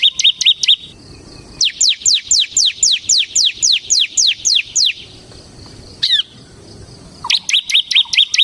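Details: Bar-winged prinia, semi variety, singing hard in ngebren style as a tutor and lure recording: quick high chips, then a long series of about a dozen steeply falling whistled notes, a pause with one sweeping note, then the chips return.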